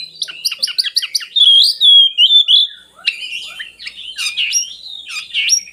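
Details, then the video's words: Oriental magpie-robin, a song to lure lazy birds into singing: a rapid series of about ten sharp repeated notes, then a loud pure drawn-out whistle, followed by varied rising whistles and buzzy accents. "suara burung kacer bagus untuk pancingan kacer malas bunyi"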